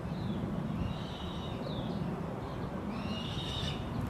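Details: Black Sparrowhawk adults teaching 76-day-old juveniles to hunt, early morning; drawn-out, high, whining calls in three bursts over steady low wind rumble.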